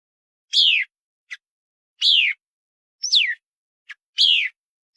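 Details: Paddyfield pipit calling: clear, loud downward-sweeping chirps repeated roughly every one and a half seconds, each followed by a tiny faint click, in an otherwise quiet setting.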